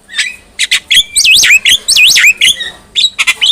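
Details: Black-winged myna singing as a tutor for other mynas, with harsh chattering notes and two looping, wavering whistled phrases in quick succession.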